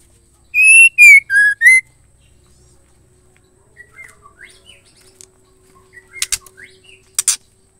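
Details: Calling female white-rumped shama, a sound meant to make males sing: four forceful whistled notes within about a second, sliding down then up again, then faint twittering and a pair of abrupt clicks.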